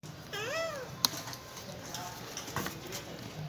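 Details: Pet parrot saying its name: a rising-and-falling harmonic, voice-like utterance near the start, a sharp click, then softer fainter syllables, indoors.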